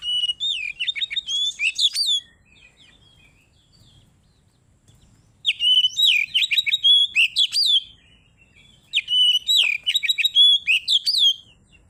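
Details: Oriental magpie-robin's ngeplong song, a lure for rousing rivals: three loud bursts of rapid, clear whistled notes with sharp downward slurs, each lasting about two seconds and separated by quiet gaps.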